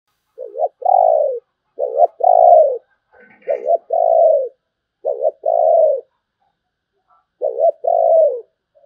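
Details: Spotted dove singing in the 'sấm bầu' style: deep, hollow two-part coos, a short rising note then a longer falling one, repeated about every 1.5 seconds in four phrases. Faint higher chirps briefly at mid-clip.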